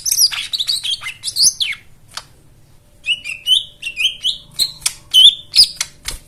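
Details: White-eye song meant to coax a quiet caged bird to sing. Tumbling high warbles first, a brief lull, then a string of short whistled notes repeated rapidly alongside crisp clicks.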